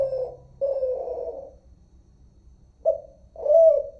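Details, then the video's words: Malaysian spotted dove known as derkuku, Kelantan voice type: a pair of long breathy coos, a pause, then a clipped note and a loud rising-falling coo, deep and mellow. "Suara terkukur @ derkuku"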